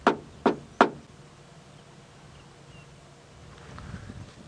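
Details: Red-crested korhaan giving its territorial call from a termite mound at sunrise on 6 December 2016, males calling to each other. Three sharp, dry clicks about a third of a second apart, then quiet with faint distant sounds.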